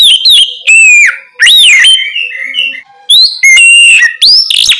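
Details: Oriental magpie-robin song at night for prompting untrained birds to respond: strong, clear whistles that arch up and down, interspersed with quick chirps and brief pauses, continuing steadily throughout.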